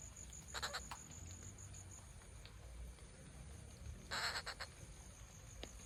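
Rufous Treepie gives two short bursts of harsh, grating, rattling notes about three seconds apart, over a steady high insect drone and low background rumble.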